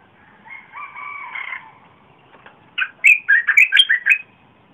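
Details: Red-whiskered bulbul song recorded 30 April 2021, big-voiced and used to lure wild birds: soft level two-toned whistles, then a loud phrase of about nine rapid, bubbly warbled notes.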